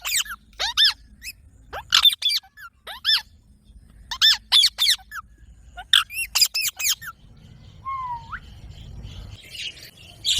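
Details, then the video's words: Parrot repeating bursts of two to four sharp, harmonic squeaks every second or so, then a single lower bent whistle. Soft rustling noise fills the background. "Parrot Natural Sounds Compilation"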